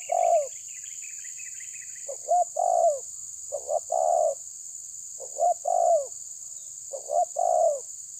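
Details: Spotted dove (terkukur tabir) pressuring a rival, cooing five times in about eight seconds: quick broken notes, then a strong falling coo. A brief twittering bird opens the recording, and a high hiss runs throughout.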